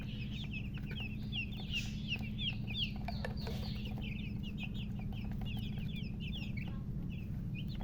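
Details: Newborn chicken chicks give a rapid scatter of high, thin peeps, around a few per second, overlapping irregularly above steady low-pitched background noise and faint clicks.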